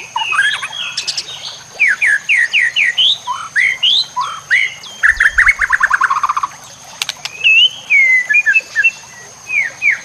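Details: White-rumped shama singing a rich, varied run of loud whistled phrases with quick rising slurs, repeated notes and sweeping trills, over natural background sounds with trickling water and a thin steady high tone.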